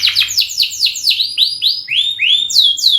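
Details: Long canary song meant to draw other birds into singing: a fast run of bright downward-sweeping notes, each slurred from high to mid pitch, repeated several times a second and gradually lowering then rising again; faint background hum.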